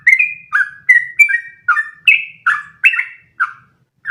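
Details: Sooty-headed bulbul in full song, kept for training other birds to sing long unbroken phrases: clear whistled two-part notes, a higher slur then a lower one, repeated briskly about every half second with no background sounds.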